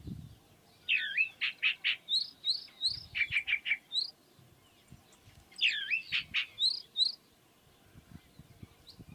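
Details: Chalk-browed mockingbird delivering two bursts of varied song, each a twisting whistled phrase followed by rapid chips and high notes, separated by a short pause over light background noise.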